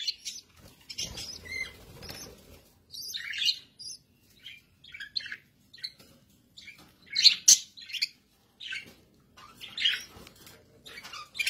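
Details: Pet budgerigars give a run of rapid, thin chirps and twittering warbles, loose and uneven, with brief quiet pauses and faint low rustling early on.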